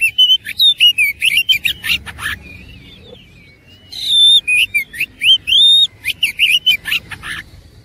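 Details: Oriental magpie-robin in fighting form, pouring out loud, nonstop song rich in imitation: dense rapid whistles, upslurs and sharp chips, with a brief pause before a louder run of long, clear whistled phrases.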